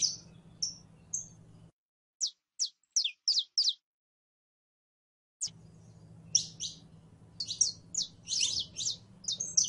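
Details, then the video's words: Female canary in heat calling a male for mating: high chirps, a quick series of sharp descending notes in a quiet stretch, then denser rapid chirping over a low hum. "HEMBRA EN CELO LLAMANDO A MACHO CANARIO PARA APAREARSE"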